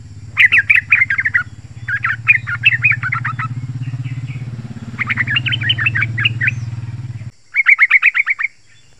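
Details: Yellow-vented bulbul chattering in fast bubbly phrases of sharp notes, used to call wild bulbuls and spur caged birds; a loud engine-like drone runs under most of it, then stops before a final clean burst.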